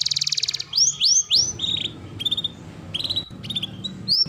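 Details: Canary singing in a recording meant to train and prompt other canaries: a quick buzzy trill, rising slurred notes, then scattered chips and short whistles over a low background hum.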